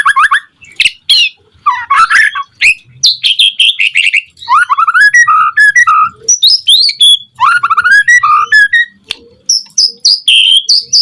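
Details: White-rumped shama in rich, varied song meant to provoke other shamas into singing: melodious whistles, scratchy phrases and rapid chattering runs that keep changing pitch, with only short gaps.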